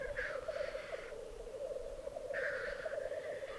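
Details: Displaying black grouse at a lek, Piedmont Alps, Italy, 2022. Low rolling bubbling persists beneath two extended hissing, wheezy calls separated by a pause of over a second.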